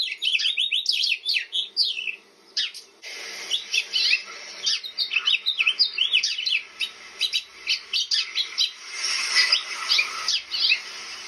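House finch giving a quick run of bright chirps and warbled, slurred notes, busy and nearly continuous, with brief pauses between bursts.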